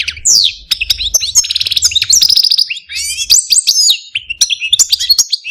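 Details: Caged pet male Algerian parva goldfinch singing a dense, fast stream of high twittering notes, buzzy trills and sweeping slurred whistles, with rapid rattling bursts and barely a pause.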